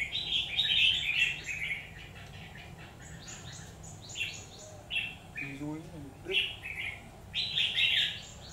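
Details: Red-whiskered bulbul at a trap on 17 October 2019, singing in a fight: rich warbled phrases in bursts, a loud opening flurry, a brief human voice midway, then more chirpy phrases.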